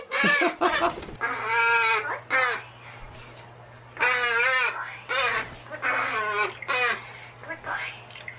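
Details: Male pet magpie that mimics speech, such as saying 'peach come here': loud, harsh, strongly harmonic calls in drawn-out bursts of about half a second to a second, with a steady low hum underneath.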